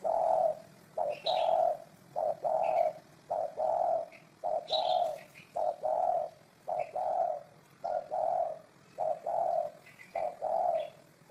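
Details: Spotted dove cooing steadily, a run of about ten low, mellow coo notes spaced roughly a second apart, with faint high chirps of other birds in the background.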